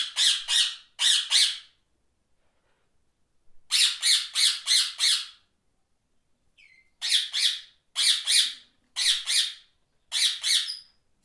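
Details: Grating parakeet squawks arrive in clusters of four or five evenly spaced notes, with the clusters separated by pauses of one to two seconds. One soft whistle falls between them.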